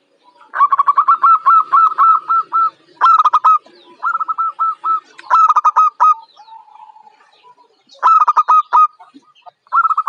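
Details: Zebra dove, a young local bird said to be brave in contests. Repeated loud phrases of rapid throaty notes come in quick succession, with brief soft murmurs between them.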